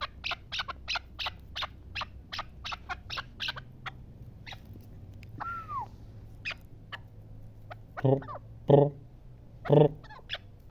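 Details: Chukar partridge from the Pamirs giving a quieter run of regular chuk notes, then a brief arched whistle, with several deep, low harmonic sounds near the end.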